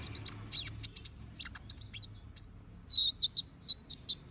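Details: Brown-throated sunbird singing continuously in sharp 'tembakan' bursts, kept as a master recording for training other birds: quick, very high thin chips and short trills, with a run of even notes near the end.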